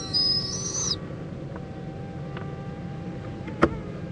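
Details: Owl, a mother checking on her owlet and joining it for preening, in Indiantown, Florida, at 11:45 AM on February 26, 2014; about one second of high, hissing screech with a thin whistled edge, then a steady low hum and a few faint ticks.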